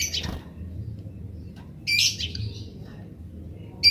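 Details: Wild Eurasian tree sparrows in grece style, wild sparrows answering: a harsh chirp burst, a pause, then a louder noisy chirp cluster and a final sharp chirp.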